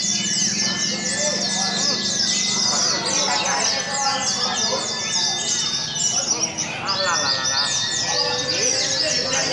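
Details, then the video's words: Several white-eyes at a singing contest in Sungai Pinyuh on 29 January 2017 sing at once in fast, high, twittering and warbling phrases that overlap without pause, over a low hum of human voices. "Kontes Suara Burung PLECI"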